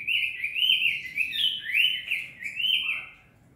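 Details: Cinnamon tanager singing energetically, a short burst of strong, clear slurred notes that sweep up and down in quick succession before fading into a softer closing note.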